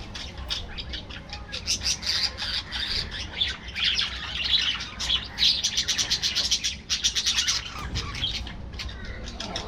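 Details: Budgerigar colony kept in an aviary: busy warbling chatter with rapid runs of clicking, ticking notes and squeaky twitters, many birds calling at once, dense and nearly unbroken.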